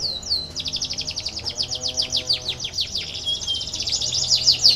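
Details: Canary song used as a lure to stimulate lazy canaries to sing: a continuous high trill of rapid, downward-sweeping notes, about three per second, in steady rolling phrases.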